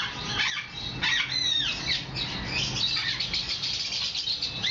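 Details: Hand-tame Moluccan or medium sulphur cockatoo calling with harsh, rasping squawks and sweeping high screeches in quick succession, mixed with lower chatter and faint background noise.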